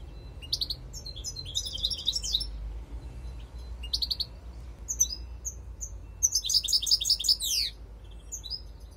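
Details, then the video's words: European goldfinch lure call: bursts of high, bright twittering notes and quick liquid trills, a buzzy run near the end, with short gaps between phrases over a faint low background rumble. "Jilguero Reclamó chardonneret"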